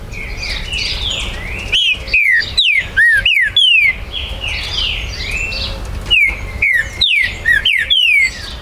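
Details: Green-winged saltator (trinca-ferro) held by a Brazilian breeder, recorded 19 September 2020, territorial song: two rapid volleys of loud downward-sliding whistles separated by about two seconds of softer background bird calls and low hum.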